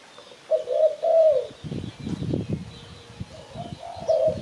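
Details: Spotted dove call from Malaysia, used to lure birds for catching. A phrase of low, soft coos opens, then rustling and knocking, then coos resume near the end, with faint high chirps.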